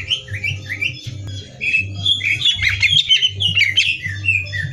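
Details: Song of a greater green leafbird prepared as training for bird singing competitions, opening with rising whistled slurs, then a dense run of sharp, chattering and squeaky notes, over a constant low electrical hum.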